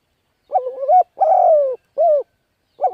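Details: Spotted dove giving a mellow cooing phrase meant to excite decoy birds: a wavering opening coo, a long steady note sliding slightly downward, and a short final coo, with the next phrase beginning at the end.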